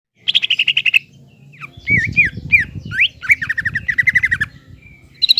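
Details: Green leafbird in vigorous song, played to provoke a young speckled leafbird into anger. Opens with a fast run of about ten sharp high notes, then slurred whistles and a busy chattering trill, with low rumbling noise underneath.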